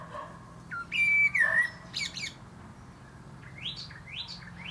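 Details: Common blackbird singing from the top of a plum tree: a low, fluty warbled phrase followed after a pause by a run of quick, thin, rising twittery notes, with faint background hum.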